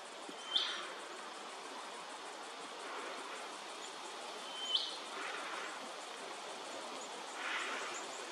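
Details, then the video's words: Red-browed Finch at Hervey Bay, Queensland, gives two thin, sharp high notes about four seconds apart, over steady hiss with soft rushing sounds in between. "Red-browed Finch"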